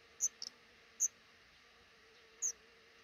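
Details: High, thin, clipped peeps from a black redstart nest tucked under the roof over a regularly used front door, eggs hatching and five young; a few isolated notes plus one quick double note, low hum beneath.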